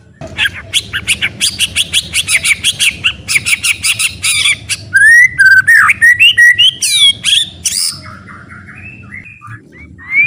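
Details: White-rumped shama, a full varied song used as training material for other shamas: fast repeated harsh notes at first, then whistled rising and falling phrases and sweeping notes, ending with a quieter warble; low background hum.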